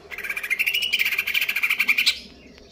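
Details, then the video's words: Caged greater green leafbird in kejer nembak konslet style, in stable condition, pouring out one continuous rapid rattling trill of buzzy pulses for about two seconds, ending abruptly. "cucak ijo konslet kejer nembak"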